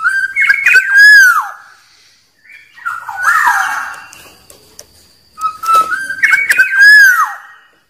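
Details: Wild Black-naped oriole, its song used to draw rivals: two loud mellow whistled phrases, each opening with quick sharp notes, separated by a harsher, rougher nasal call.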